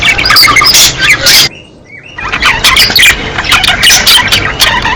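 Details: Breeding-season budgerigar flock chattering with rapid chirps and squeals, a sudden near-silent gap with one soft whistle, then the busy warbling chorus resumes.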